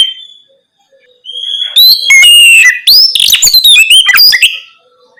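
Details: Night-time Oriental magpie-robin song for prompting young birds to respond; a thin rising whistle leads into a loud tumbling run of whistles and scratchy notes.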